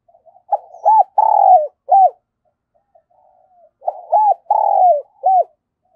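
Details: Lure spotted dove cooing vigorously in the 'thổ thúc' voice. Two matching phrases about three seconds apart, each a quick run of arched coos, a long downslurred buzzy note and a final short coo.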